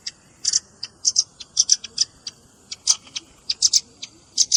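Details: Velvet-fronted nuthatch calls blended with juvenile calls for luring, irregular high, sharp chips, often doubled or tripled, spaced through the clip against a soft background hiss.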